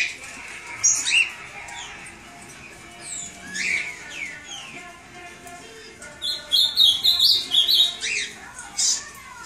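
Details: Cockatiel chicks calling: thin high squeaky chirps and rising whistles in irregular bursts, with a rapid run of repeated harsh notes toward the end and faint background sounds.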